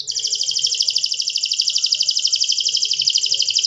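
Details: Canary song made of one steady, fast, ringing trill of rapidly repeated notes, about three per second pulses in the loudness, high and bright throughout.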